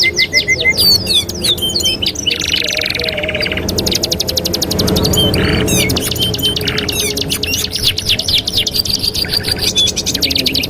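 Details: Canary master song used to train other canaries: dense high rapid trills and buzzy rolls, with clear repeated notes, run almost without pause, and a loud broadband noise surge in the middle.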